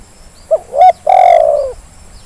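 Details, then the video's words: Zebra dove call used as a lure to make lazy birds call: a short note, a rising double note, then a long drawn coo that slowly falls, all clear and loud against a quiet background. "Suara pancingan terkukur yang malas jadi bunyi"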